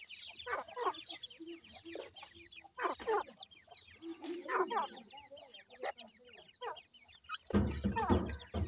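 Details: Grey francolin chicks, known locally as dakhni teetar, with an adult pair: a busy stream of thin, high, downslurred peeps overlapping one another, with lower clucking notes and a loud rustling thump near the end.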